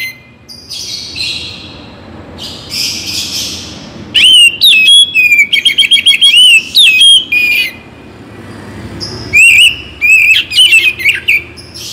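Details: Oriental magpie-robin song for morning and evening, to perk up listless birds: soft hissing notes at first, then loud bursts of rapid varied whistles, trills and sharp chips, pausing briefly before another rich warbling run.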